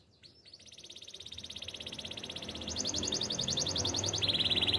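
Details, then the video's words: Canary delivering a long, fast rolling trill that grows steadily louder, pulses repeated several times a second, shifting to a lower trill near the end, over a faint low background rumble. "Super relaxing canary birds sounds"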